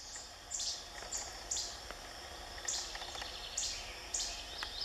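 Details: Least flycatcher at Ouray NWR on 31 May 2016 giving short, sharp, very high call notes, sometimes in quick pairs, roughly once a second over a steady hiss.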